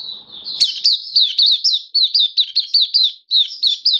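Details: Caged Oriental white-eye singing on 27 October 2022. A rapid, regular series of sharp, high, down-slurred chirps, nearly two a second, runs steadily through the whole stretch, with slight low murmur at the start.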